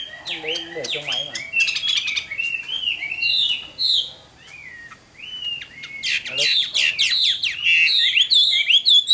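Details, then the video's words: Mature wild-caught Chinese hwamei, kept caged, mixes clicks and short notes with rising whistled phrases, pauses briefly, then bursts into a loud, busy stream of varied whistles. "Tam Hoàng, Tố Chất Giọng Hay. Chim Chuẩn Già Rừng"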